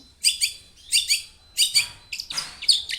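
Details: Long-tailed shrike in lively song for prompting other shrikes to call back: paired scratchy, high chirps repeated in short bursts, then a jumble of harsher notes.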